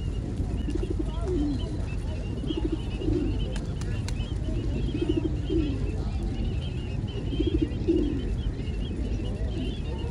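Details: Pigeons near a riverbank cooing in soft, low repeated phrases, several short coos spaced through the recording over steady rushing background noise, with faint higher chirps from other birds.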